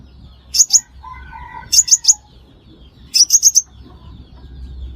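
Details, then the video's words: Lure recording of the five-coloured sunbird for trapping: brief clusters of thin, high chips, first two notes, then three, then four, spaced by quiet gaps; faint low hum. "Tiếng chim hút mật 5 màu"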